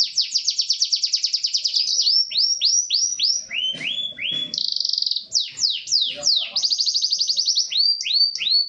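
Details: Gloster canary of the crested corona type singing vigorously, opening with a fast high rolling trill, then a string of rising whistled sweeps, a buzzy section and a rapid trill, ending in swooping notes.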